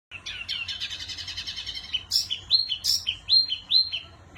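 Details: Wambi bird in lively, chatty song: a fast run of rapid high chirps for two seconds, then a series of bright whistled notes, each sliding down and repeated roughly twice a second, with a faint low hum beneath.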